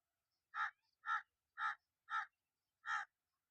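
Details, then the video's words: Crow calling a run of five short, harsh caws, roughly two per second with slightly uneven spacing, clear against an otherwise quiet background. "Relax to the Soothing Sounds of Crows"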